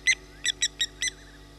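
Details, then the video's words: Small owl calling at 23:30 on 14 August 2021 at a waterhole on Djuma Game Reserve, Sabi Sand Wildtuin, South Africa: five short, harsh, high notes in quick, uneven succession over a quiet background. "Small Owl"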